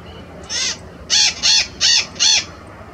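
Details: White-eyed parakeet, a noisy species, calling in the countryside on a morning birding ride: five harsh, grating, high-pitched screeches, one single and then four close together about every half second.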